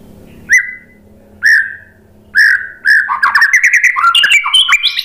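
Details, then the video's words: White-rumped shama singing, played to draw other birds into song: three loud rising whistles about a second apart, then a fast, jumbled run of chirps and slurred whistles climbing higher in pitch. "KICAUAN MURAI BATU bikin NYAUT ikut BUNYI GACOR NGEPLONG BONGKAR ISIAN ¦ PANCINGAN MURAI"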